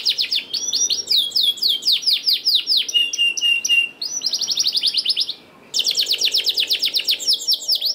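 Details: Singing canary as a lure for lazy canaries: continuous fast trills of sweeping notes, a drawn-out whistle, a short pause, then a quick even roll of repeated notes.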